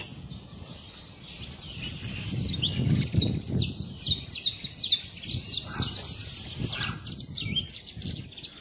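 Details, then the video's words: Free saffron finch in nature with a lively series of high, thin downslurred chirps, building from quiet to a busy, overlapping chatter, and soft low background rumble. "Canário da terra livre na natureza"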